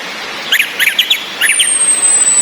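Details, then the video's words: Captive female orange-headed thrush giving ngecis calls, used to arouse breeding drive in males that only twitter: a short run of sharp chirps, then a thin high whistle sliding down, over a steady hiss of rain. "ANIS MERAH BETINA NGECIS‼️ COCOK UNTUK NAIKAN BIRAHI BURUNG YANG MENTOK DI NGRIWIK SAJA"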